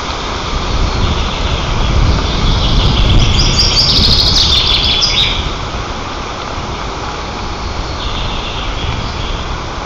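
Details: White-tailed eagles on their nest in Nizhnyaya Kama National Park, Tatarstan, 18 June 2024, young ones pestering a sister and wing-flapping; a rapid run of high, shrill chittering notes in the middle, with low rumbling noise.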